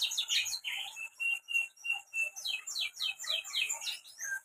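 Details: Canary from Central Java, Indonesia, singing gacor style (nonstop, vigorous song): a fast, unbroken stream of high twittering, trilled and sharply swept notes, pulsing in short bursts several times a second, with no other sounds.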